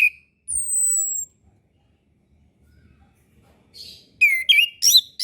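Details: Orange-headed thrush master song for young birds learning to sing: a long high whistle sliding slightly down, then after a pause a burst of rich, varied whistled phrases swooping between mid and high pitch.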